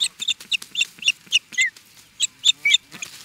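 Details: Agitated Osprey in Charlo, Montana, USA, calling at an intruder with rapid, piercing whistled chirps in a quick, slightly uneven series.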